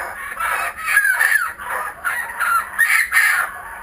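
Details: Kookaburras returned to a home, recorded using GoPro Hero 3D and Fujifilm W3 cameras, burst into short loud cackles with falling, wavering notes, several bursts packed into a few seconds.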